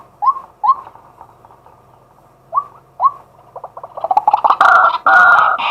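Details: Male White-breasted waterhen calling by day as a decoy, recorded live from a set-up camera: paired short upslurred hoots separated by a silence, then quickening notes swelling into loud, harsh, croaking calls.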